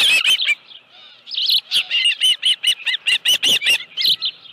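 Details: Osprey at its nest with a live fish, 25 July 2018 at 5:23 PM; a few loud chirps, a short pause, then a steady series of about a dozen sharp whistled notes, each rising and falling, repeated evenly.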